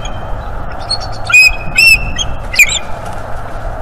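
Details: Bald eagle at a northeast Florida nest on 11 January 2023, while the pair works on the nest. A few brief, sharp whistled chirps sound over low background hum and rustling.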